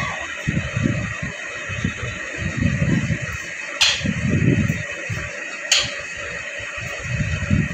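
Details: Muffled low voices and indoor room noise, with two sharp clicks and a steady high hiss; no animal calls can be picked out.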